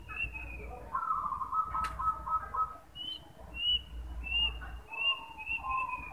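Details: Male zebra dove giving a rapid, rolling series of coos in the first half. A thin, high whistled note repeats about every half second over the second half, with soft coo fragments underneath.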